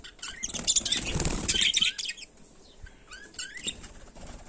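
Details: Melopsittacus undulatus budgerigars in daily life give scratchy warbled chatter, then brief upward-slurred chirps and scattered soft notes after a louder opening stretch.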